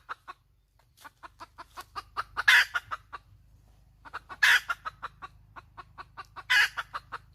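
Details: Hen cackling: runs of short, evenly spaced clucks build to a loud, harsh, drawn-out squawk, three squawks in all, with a low steady hum underneath.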